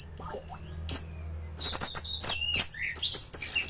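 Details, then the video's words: Recorded as a training song for other thrushes, a thrush gives high, ringing whistles and sharp notes in quick runs, with a short lower slurred note, continuing busily to the end. "Burung anis gacoran || masteran untuk burung anis"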